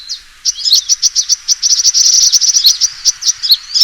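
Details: A sunbird's fighting call, used as a lure for trapping: after a short quiet start, a steady stream of quick, sharp high chirps merging into a twittering trill.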